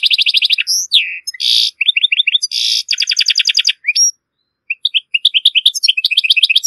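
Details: European goldfinch, a strong, error-free song from Morocco used to teach goldfinch and hybrid chicks to sing: rapid bright twittering phrases, buzzy rattles and liquid notes in quick bursts, with brief pauses between sequences.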